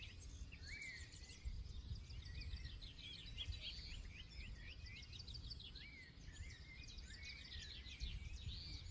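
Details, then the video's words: Several wild forest birds singing together: overlapping high chirps, quick trills and short rising whistles, with a steady low rumble of wind or distant noise underneath throughout. "2 HOURS SINGING BIRD SOUNDS FOR RELAX"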